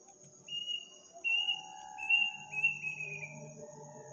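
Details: Midnight village call of an unknown bird on Takbiran night, said to sound creepy: a long, high whistle followed by several lower-stepping whistled notes sliding down, backed by an unbroken cricket drone.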